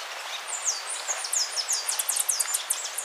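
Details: Speckled tanager (Ixothraupis guttata) song: a rapid series of very high, thin, sibilant notes, many sharply downslurred, accelerating into a dense twittering stream over about three seconds.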